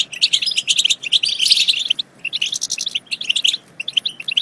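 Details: Goldfinch song used to encourage singing and mating: clear, bright, rapid chirps and trilled notes, an intense burst around one and a half seconds, a brief gap near two seconds, then lighter twitters.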